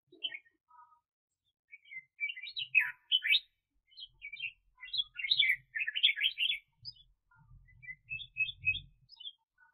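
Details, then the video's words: Caged decoy red-whiskered bulbul used to lure wild birds for trapping, 2021 bird season, pouring out a long run of rapid, scratchy, warbled notes that rise and fall, with faint low knocks near the end. "Chào Mào Mồi [Công Lập]"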